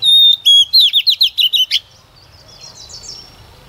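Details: Decoy female Oriental magpie-robin singing to stir males into song: a long steady whistle, then a quick series of about seven rising slurred chirps, fading into faint distant twitters.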